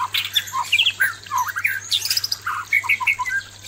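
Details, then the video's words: White-rumped shama male singing toward an aggressive female: a rapid jumble of clear whistles, slurred notes and harsher chatters packed into a few seconds of continuous song. "suara murai batu jantan menghadapi betina galak"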